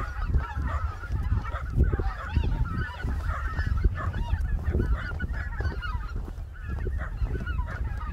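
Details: Greater white-fronted geese on the Cheorwon plain, a winter stopover in central Korea; clear honks and yelps from the flock sit over heavy low rumbling noise, likely wind, throughout.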